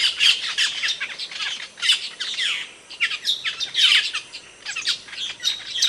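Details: Calls of an Asian glossy starling from Indonesia, used as a master bird for tutoring songbirds: shrill squeaks and scratchy chirps in clumped bursts, each lasting about a second.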